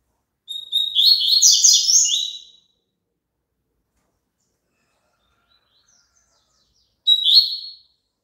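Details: Song of the double-collared seedeater, meant for a caged bird to sing along with: a whistled note leads into a two-second run of rapid buzzy chirps, then silence, then a short whistled opening of a second phrase.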